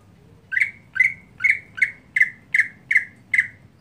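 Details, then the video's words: Captive greater green leafbird kept as a daily-trained contest bird, singing in a monotonous style: eight identical harsh, squawky notes, each with a downward tail, repeated steadily about every half second in a quiet room. "Cucak Hijau Harian Monoton"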